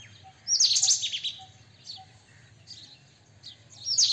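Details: White-throated kingfisher letting out a shrill, wavering, rasping chatter, then weaker high notes and a fresh loud burst at the end, over faint repeated short tones.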